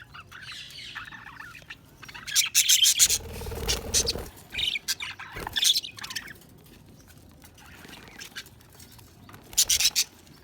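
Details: Budgerigars chirping: short bursts of high, scratchy chirps and squeaks spaced by quieter stretches, with a soft low thump in the middle.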